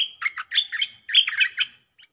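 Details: Caged decoy stripe-throated bulbul singing at captured wild birds described as fierce: two quick bursts of bright, gurgling warbled notes, close and clear, ending with a brief soft chirp.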